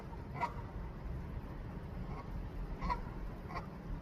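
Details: A goose newly come to a rooftop garden in Canada, calling with neck wiggles for its mate; three separate short honks, the loudest first, against constant low-pitched background noise.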